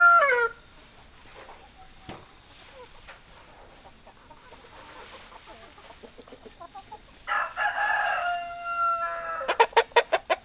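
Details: Chicken sounds, likely hens and a rooster: near-silence with soft clucks, then a loud drawn-out harsh crow-like call and a quick burst of sharp repeated clucks at the end.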